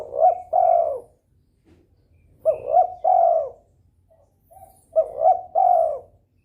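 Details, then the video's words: Spotted dove in breeding mood, calling to stimulate rivals into answering: three phrases of low, mellow cooing, each a pair of short coos followed by a longer drawn-out coo, repeated about every two and a half seconds in a quiet setting. "DERKUKU birahi gacor merangsang lawan ikut bunyi"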